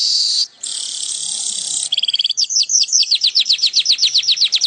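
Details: Weaver (manyar) in lively, vigorous song: a long, high buzzy hiss, a brief break, then a fast, steady run of sharply down-slurred chipping notes, about five per second, rising in strength.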